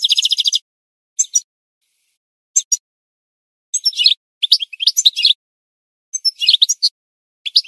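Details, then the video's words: Goldfinch singing for song-training: a harsh buzzy burst, then short bright twittering phrases separated by silent gaps of about one second, all high-pitched. "The Best Singing Goldfinch"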